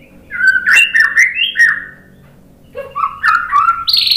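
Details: White-rumped shama singing to provoke other birds: clear whistled phrases sliding between low and mid notes, a pause, then a second burst ending in high thin trilled notes.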